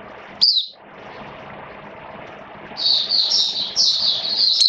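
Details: Caged Oriental white-eye singing in wet rainy weather: one sharp high chirp, a quiet gap with low hum, then sustained buzzy, twittering high-pitched warbles.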